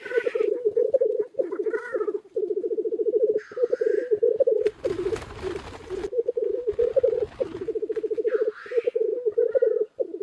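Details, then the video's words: Many black grouse cocks at a spring lek beside a hide keep up a loud, rhythmic bubbling rookoo with scattered hisses; a burst of rustling noise interrupts midway. "Тетеревиный ток у шалаша"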